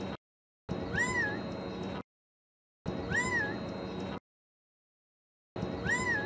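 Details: A Gambel's quail perched at the top of a tall mesquite tree in Red Mountain Park, Mesa, Arizona, gives an unusual plaintive, cat-like rising-then-falling call about every two and a half seconds over low rumble.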